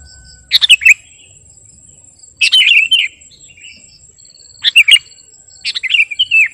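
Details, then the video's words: Sooty-headed bulbul master song, used to lure or train birds: four brief phrases of quick chirps ending in slurred whistles, spaced about two seconds apart, with a steady thin high tone behind. "Burung KUTILANG GARUDA Gacor..!! cocok buat pikat masteran"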